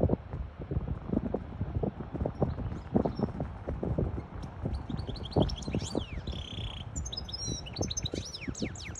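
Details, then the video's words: Hybrid European goldfinch singing to tutor chicks and excite a female into mating posture; after six seconds, high twittering phrases of quick rising and falling notes come through over a steady low rumble and thumps. "تغريد طائر هجين الحسون لتسميع الفراخ و لتهييج انتى الحسون واخد وضعية التلقيح"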